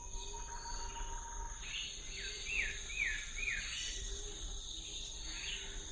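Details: Sooty-headed bulbul singing in the wild: a short run of three or four slurred, downward-sliding whistled notes in the middle, set against a constant high insect drone.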